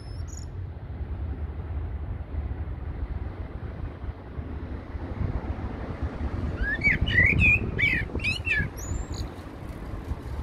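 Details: A common blackbird singing at Heidelberg Castle, Germany: a brief burst of mellow warbled phrases with a few higher twittery notes near the end, over a steady low rumble of distant traffic.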